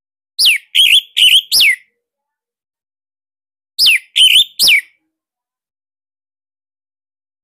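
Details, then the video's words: Caged orange-headed thrush from Bali recorded as a master for training; two runs of four and three loud downslurred whistles with flat middle notes, spaced about three seconds apart. "Tembakan SIRTU GACOR Dan Isian Lain Cocok Buat MASTERAN Kicauan"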